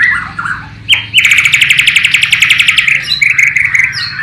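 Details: Bornean white-rumped shama in East Kalimantan, Indonesia, singing a learned imitation of the sikatan londo (flycatcher/nightingale) song; brief whistled notes, then a loud, fast run of repeated sharp chirps for about two seconds, ending in high whistles over a low background hum.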